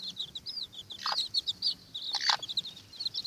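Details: Watermaalse bantam chicks squabbling over an earthworm: a stream of high, thin peeps and short chirps from several chicks, with two brief rustling scuffles in between.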